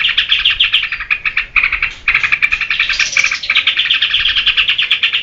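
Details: Yellow-vented bulbul song intended for luring and tutoring other birds: quick rippling chatter with a brief lull, then a higher, bright trilling passage and more continuous rapid twittering.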